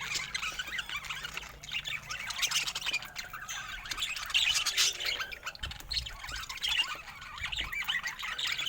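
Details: A group of budgerigars keeps up dense, high-pitched twittering, with scratchy chirps layered over one another across the whole stretch.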